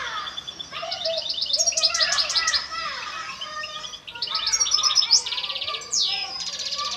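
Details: A European goldfinch, a breeding (pairing) bird from goldfinch mating preparation, sings a fast, tinkling twitter of liquid notes and buzzy trills, changing phrase every second or so, high and bright throughout.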